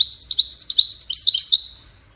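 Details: Goldfinch song, tied to courtship and communication, heard as a dense run of bright, high twittering notes and quick slurred trills that tumble along steadily, then fade away at the end.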